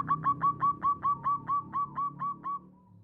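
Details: Local zebra dove with a small voice, used as a lure so that other doves sing along: about eleven short, clipped coo notes in a steady fast run, fading out at the end.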